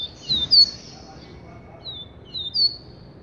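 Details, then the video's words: Double-collared seedeater, referred to as an XT bird, singing two short bursts of high, thin whistled notes with quick rising and falling slurs, about two seconds apart, over faint background hiss. "COLEIRO XT"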